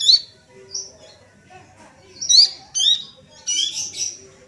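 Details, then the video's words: Busily calling young Sunda bush warbler giving varied high chirps, a few thin whistled notes, then a buzzy cluster of overlapping notes near the end, with soft background noise. "SUARA ANAKAN PELANDUK SEMAK GACOR, CINGCOHO GACOR"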